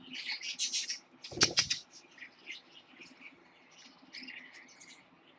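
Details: A baby Lutino parakeet born 10/26/15 chatters in quick, high, scratchy chirps with short warbled notes, broken by a brief burst of wing flapping.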